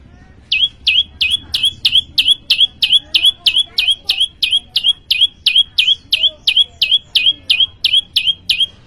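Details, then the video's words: Prinia (prenjak lumut) singing steadily: a long run of identical sharp down-slurred whistled notes, about three per second, very even in rhythm, with a faint low hum behind. "prenjak lumut gacor"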